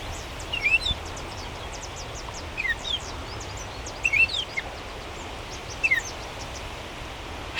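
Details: Gray Catbird in Toronto park, mid-July summer, giving short, downslurred cat-like mewing notes, about five in eight seconds, over a steady hiss of outdoor background noise.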